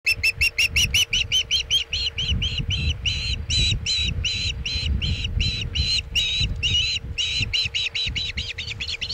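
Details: Osprey at a Chesapeake nest during a bluefish tail delivery, 27 August 2019 at 2:26 pm EDT: rapid, insistent chirping calls repeated nearly three times a second, with steady wind and rumbling noise underneath.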